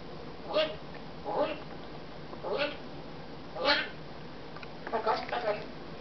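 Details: Congo African grey parrot, December '08, talking indoors, flattering about how pretty we are; five speech-like bursts of syllables at about one-second intervals, the last a quick cluster, over a quiet room hiss.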